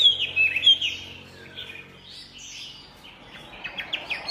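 A Chinese hwamei opens with a few clear, high whistled notes, then fainter warbling phrases and quick chattering notes; a low hum sits beneath.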